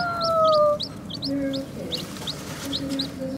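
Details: Newborn chicks give a quick series of high, thin, downslurred peeps, several per second, against background music with long held notes.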